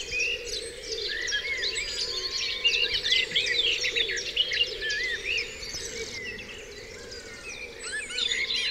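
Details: Morning birdsong at Dewlands Common: many voices overlapping, quick sharp chirps and looping whistled notes, a brief low steady tone, and background hum throughout.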